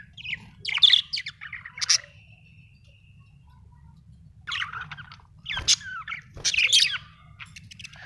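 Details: Australian budgie chirping in scattered bursts: a few sharp high chirps near the start, then a longer run of scratchy, warbled notes after a quiet gap, over a faint low hum.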